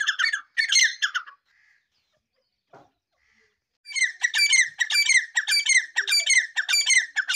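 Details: Black francolin uttering loud, raspy, rhythmic notes in two bursts separated by a short near-silent pause, the second burst a steady run of grating notes; the background is otherwise quiet.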